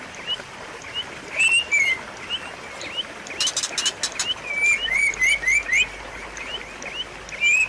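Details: White-rumped shama song used as a training lure for a shama that has gone quiet: rapid rising whistles and warbled slurs repeated in bursts, high metallic ticks, and a brief loud broadband rattle near the middle.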